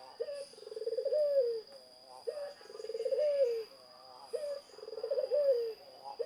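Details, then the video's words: Zebra dove song made of three phrases, each a short clipped note followed by a rapid purring trill of coos that swells and then slides down. The phrases come about two seconds apart over a constant high-pitched electronic tone. "Burung Perkutut Gacor"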